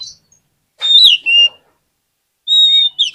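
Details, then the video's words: Oriental magpie-robin (kacer) lure song, used to stir lazy birds into singing and answering quickly: clear whistled notes, one rising then falling, followed by a pause and a flat sustained whistle ending in a short downward slur. "PANCINGAN KACER PALING AMPUH UNTUK RANGSANGAN KACER YANG MALAS BUNYI AGAR CEPAT NYAUT"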